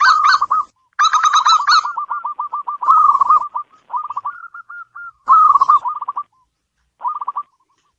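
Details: Several bouts of rapid staccato cooing from a local zebra dove, each starting rich and bright and trailing off into softer repeated notes, with silent breaks between phrases.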